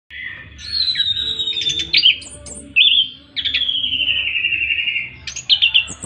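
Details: Orange-headed thrush (Geokichla citrina) sings a long rolling song of rich, high phrases: sweet slurred whistles with sudden chattering trills and flourishes, delivered almost without pause.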